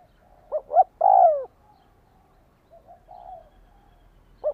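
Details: {'caption': 'Spotted dove calling to rouse a decoy bird: two brief rising notes followed by a rich, long coo that slides downward, then faint soft murmurs and a single short note closing.'}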